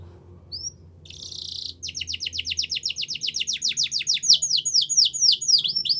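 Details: Yorkshire canary song used in canary training: a single chirp and a buzzy roll, followed by a long accelerating trill of falling whistled notes, about four per second, growing louder.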